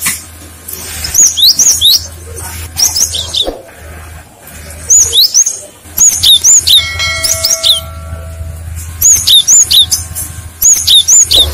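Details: Cinereous tit lure song that prompts other tits to answer: clusters of crisp high whistles, swooping up and down, repeated in bouts across the recording, with a low mechanical hum and a brief tonal whine.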